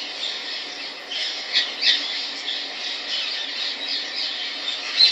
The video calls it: Indian ringneck parrot